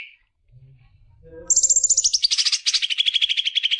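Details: Greater green leafbird song meant to stimulate young birds: after faint low rumbling, a fast run of high sharp chirped notes descends into a rapid, evenly pulsed trill lasting about two seconds.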